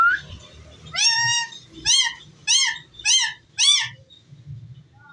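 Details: Indoor pet ringneck parrot, known as a talker, giving five loud arched harsh calls, evenly spaced a little over half a second apart, then quiet.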